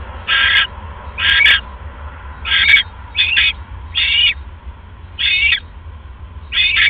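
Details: Female owl on a live nest camera at 1:30 AM on 31 December 2014, eating a rat after casting a pellet; seven short, harsh, hissing-raspy calls about a second apart over a steady low hum.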